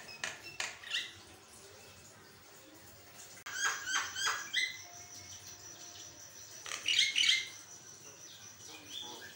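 A Javan myna sings a varied run of harsh chatters, sharp whistles and bursts of bright, buzzy notes, rising to a loud squealing flourish near the end.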